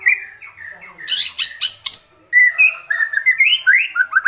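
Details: Rapid, excited kretekan from an agitated White-rumped shama: a fast stream of short chips and twitters, a harsh buzzy burst in the middle, then quick varied notes rising and falling.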